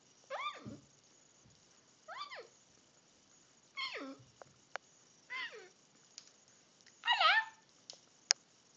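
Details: Crimson rosella giving loud, harmonic, downward-sliding calls. The calls come in separate bursts about every one and a half seconds. A harsher, wavering call follows, and there are sharp clicks in between.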